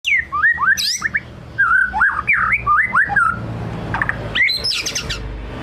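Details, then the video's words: White-rumped shama in full, rich song used as a lure: loud varied whistles, slurred rising and falling phrases, short chattering notes and a brief buzzy burst near the end, with a low steady hum underneath. "Kicau murai batu ngelemak | pancing murai batu bongkar isian"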